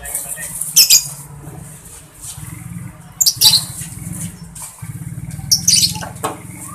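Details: Lovebird in a chattering ngekek and ticking ngetik song, as kept birds; short bursts of high, rapid, harsh chatter come about every two to three seconds over a steady low hum.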